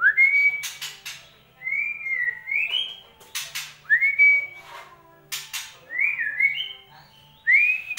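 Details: White-rumped shama song used as a lure to get a silent bird singing: clear whistled phrases near mid-high pitch, some rising then falling, spaced irregularly, interleaved with sharp broadband clicks or chacks, in a quiet indoor setting.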